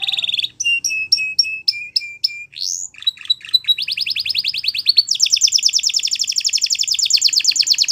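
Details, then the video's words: Song of a canary for training young birds: a short buzzy note, a series of evenly spaced sharp chip-whistles, stuttering lower phrases, then a long rapid bright trill building to the end. "Your Canaries Will Never Stop Singing !! Canary Training Song"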